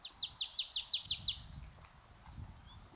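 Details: Marsh Tit singing on a bright winter day, its commonest song type, a monotonous repetition of one note: a quick run of seven identical high, slurred notes, about five per second, then stopping; faint rustling background.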